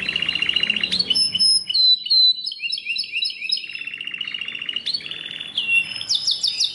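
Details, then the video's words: Belgian canary singing a long varied phrase: rapid buzzy trills alternate with clear high whistles and rows of short descending chirps, finishing with loud rising notes. "O canto canário mais espetacular #85 - OUÇA ISSO e seu CANÁRIO BELGA VAI CANTAR MUITO!"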